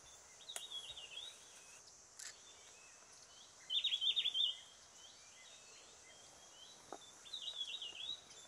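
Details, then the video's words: Lisu Wren-babbler on the Vijaynagar-Mugaphi Trail, Arunachal Pradesh, giving three short, high, rapid twittering phrases a few seconds apart, the middle one loudest, over a steady background hiss. "Lisu Wren-Babbler"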